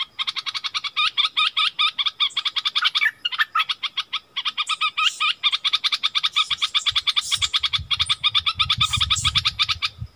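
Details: Wild striated bulbuls quarrelling fiercely, 8 February 2021: a nonstop stream of quick, clipped chattering notes with brief buzzy flourishes, a low rumble entering in the second half.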